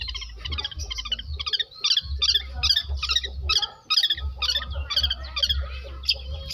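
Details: South Malang long-tailed shrike, Indonesia, copying lovebird and canary voices: harsh, scratchy high phrases repeated about twice per second in an uneven rhythm, with a low background hum.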